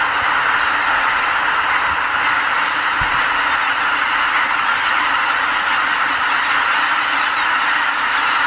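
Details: Massed honking of roughly 80,000 greater white-fronted geese taking off from their night roost before dawn at Lake Miyajimanuma wetland, Hokkaido, Japan, in spring; a steady, thick chorus of nasal yelps, with a brief low thump near the middle.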